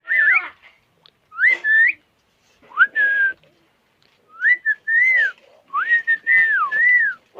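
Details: Village pet parrot over 25 years old, from Konkan, talks in whistled, speech-like phrases: rising and wavering tonal syllables in short bursts separated by pauses, growing longer toward the end.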